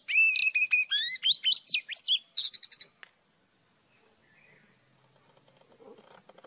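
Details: An old wild Oriental magpie-robin in morning song gives about three seconds of bright, rising whistled notes in quick succession, then a rapid chattering burst, followed by near silence with faint distant sounds.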